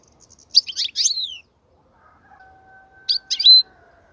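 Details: European goldfinch song used for teaching young goldfinches: bright twittering phrases with descending notes, a short pause, then another burst of chirps ending in a clear note, with faint steady tones in the gap.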